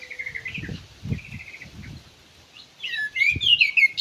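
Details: Ground thrush in an aviary: soft low warbles and a brief trill early, then a loud, complex burst of high sweeping whistles near the end, with low thumping noises in the background.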